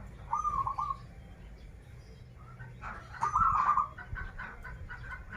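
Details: Zebra dove from Banten giving two stuttered, bubbling coo phrases a few seconds apart, followed by scattered softer notes from other birds and low background rumble.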